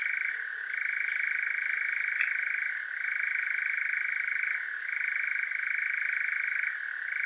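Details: Nocturnal European nightjar in Devon, UK, churring through a parabolic mic: a continuous fast rattling purr with gentle pitch dips roughly every two seconds, plus a few faint higher clicks early on.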